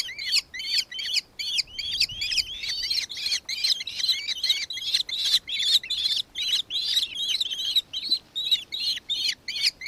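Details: A nankeen kestrel in Victoria, Australia, on 4 December 2024 keeps up nearly ten seconds of loud, shrill, repeated notes, about two and a half per second, with tiny gaps between short runs.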